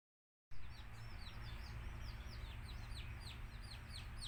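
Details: After a brief silence, baby chicks of native country chickens peep in high, falling notes, fewer and fainter, over a strong low rumbling hum.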